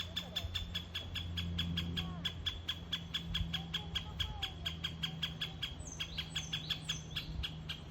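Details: Ezo great spotted woodpecker in Hokkaido, sending out a long, even series of hard, dry ticks at roughly five per second, with faint high whistled bird notes and a low droning hum behind.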